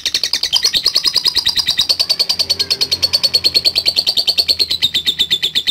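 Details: Lovebird giving its long ngekek chatter to provoke rivals: a fast, unbroken stream of high rasping chips, roughly three per second and steady throughout, slowly dipping in pitch.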